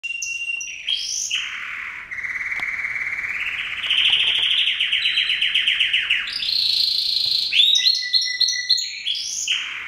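A male canary sings a long, varied song of sweet whistles, rapid trills and rolling buzzy tours, shifting pitch every second or two without pause.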